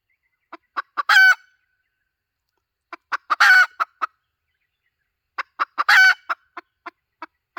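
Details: Lure call of a hen: three bursts, each a few quick clucks building into one long raspy cackle, followed by trailing clucks at steady intervals, with silent gaps between bursts.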